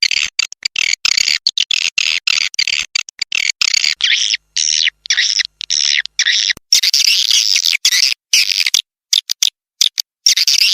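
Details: Calls played to attract swiftlets: rapid high chattering chirps in choppy bursts broken by abrupt silences, denser and brighter toward the end.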